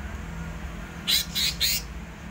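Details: Greater green leafbird singing in the rolling, continuous 'ngerol' style, delivering three loud, harsh, buzzy bursts in quick succession over a low steady hum.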